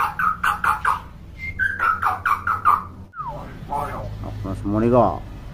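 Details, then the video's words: Hill myna, described as chatty and talkative, gives a row of harsh repeated notes and a brief whistle, then mixed nasal, voice-like sounds, with a person's voice faint in the background. "KING BURUNG BEO GACOR & CEREWET"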